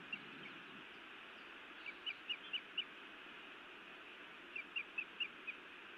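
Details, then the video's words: At a Montana nest on an evening in late May 2017, a female osprey scolds her mate: two loose runs of four or five thin, high chirps, separated by a pause, against constant hiss. "Feisty Iris scolds then bites Louis a time or two"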